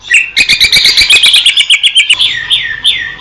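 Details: Greater green leafbird, wild, Indonesia: a quick, even trill of about sixteen bright notes over roughly two seconds, followed by three drawn-out down-slurred whistles.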